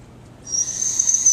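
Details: Captive female barred owl begging for food or enrichment as a keeper enters her enclosure: a sudden, harsh, high hissing screech that starts abruptly and holds steady for about a second over low background hum.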